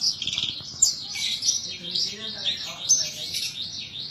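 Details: Kept Javan bush lark in Indonesia in full song, pouring out a continuous, high, rolling warble of bright chirps and trills with almost no pauses.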